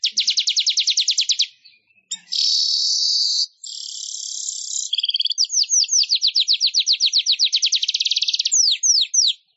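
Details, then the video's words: Weaver (manyar) song used as training material for other songbirds: rapid high trills alternate with two sustained buzzy, hissing stretches. A long run of evenly repeated chirps follows, ending in a few slower downslurred notes. "Suara Ocehan Burung MANYAR"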